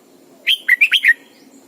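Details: Caged Red-whiskered bulbul used as a decoy, giving morning song for training: a tight burst of five loud, whistled notes in quick succession, dipping and rising, against a quiet background.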